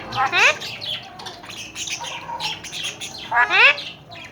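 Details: Talking, tame Alexandrine parakeets in Pakistan give a harsh, rising, harmonic squawk, then softer chattering, speech-like phrases, and a second loud rising squawk near the end.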